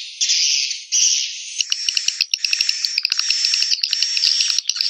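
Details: Swiftlet lure call used to attract swiftlets to nesting houses: a dense, buzzy high twittering of rapid chirps, broken by short gaps and sharp repeated clicks.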